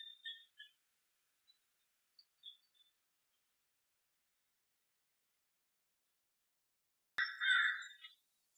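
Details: Pine siskins in a birch in November give a few brief, high chirps, then a long quiet gap before a louder burst of buzzy twittering after a sharp click.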